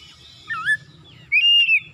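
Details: Brief morning phrase from an oriental magpie-robin, used as a lure recording for a kacer. A low, looping whistle is followed by a sustained, bright, slightly wavering whistle.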